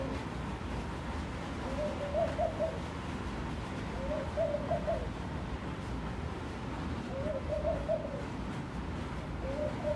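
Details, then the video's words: A laughing dove at a room window, with a person talking to it, gives soft, bubbling low coos, each short phrase rising then falling, repeated every two to three seconds over a steady low rumble. "Sound of the Laughing Dove"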